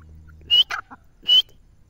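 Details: Grey francolin (teetar) calling: two loud, sharp, slightly rising whistled notes about 0.8 seconds apart, with a few softer lower notes in between and a faint low hum at first.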